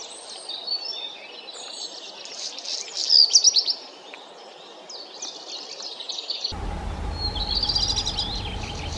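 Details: Black redstart singing a brief burst of quick, high, clipped notes in the middle; the background changes abruptly partway through to a louder, low rumbling noise with a steady hum.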